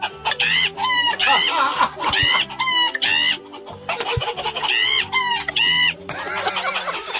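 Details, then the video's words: Chickens break into loud, harsh squawking clucks in bursts about a second apart, rising and falling in pitch, answering a man yelling at them; they come running from all sides and gather in front of him. "And you can hear the chickens in the back responding."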